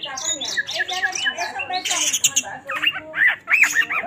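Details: Magpie-robin (kacer) in gacor song at high intensity, meant to rouse other birds: scratchy chattering notes give way to looping, up-and-down whistled notes repeated several times.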